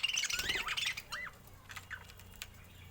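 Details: Budgerigar calls: a burst of scratchy, warbling chirps in the first second, then a few separate rising-and-falling whistled notes that fade toward the end.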